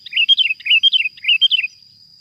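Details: Wild sooty-headed bulbul trapped with glue sticks, giving three quick bubbly whistled phrases, each a rising-and-falling cluster of liquid notes, repeated about every half second over a steady high-pitched whine.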